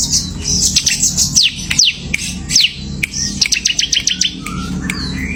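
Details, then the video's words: Bar-winged prinia (ciblek) singing in semi gacor style: sharp descending whistled sweeps mixed with quick repeated high chirps and a rapid ticking burst near the end, over a low background hum. "CIBLEK SEMI GACOR"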